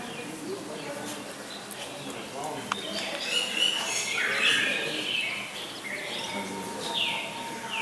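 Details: Captive lesser whistling ducks, a couple with their ducklings at Walsrode bird park, Germany, giving a run of clear whistles, some rising and some falling in quick irregular succession, with soft background chatter and noise.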